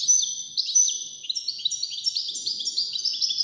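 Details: In a contest among five European goldfinches singing wdaniya-style song, a bird delivers quick, liquid twitters and chirps in a tight, fast sequence of bright, high-pitched notes with little pause.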